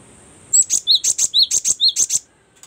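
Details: Variation of cinereous tit song for training songbirds: quick repeated pairs of piercing high chirps and lower slurred notes for under two seconds, after a brief high thin tone.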